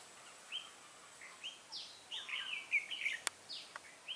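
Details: Red-whiskered bulbul used as a decoy during wild-bird trapping on 8 October 2017, singing to lure wild birds; short slurred whistled phrases and sharp downward-sweeping notes come at irregular intervals, with a couple of brief clicks.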